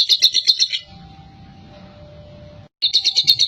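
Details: Chatty champion lovebird ngekek, a lure for pet lovebirds: brief bursts of fast, shrill chattering notes at the start and end, with a quiet gap of low humming between them.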